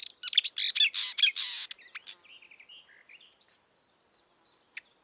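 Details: Marsh warbler singing in the wild: loud, dense scratchy chatter for under two seconds, then softer warbled notes fading away.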